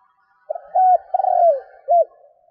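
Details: A single four-part coo from a decoy spotted dove meant to excite wild doves: short note, level hoot, long trilled downslurred coo, then a brief rounded note, over a soft steady hum.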